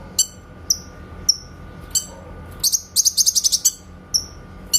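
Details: Clear shooting-style song of a grey-cheeked bulbul, a master for training white-rumped shamas: isolated high whistled chirps lead to a rapid rattle of about nine sharp notes and a few final chirps.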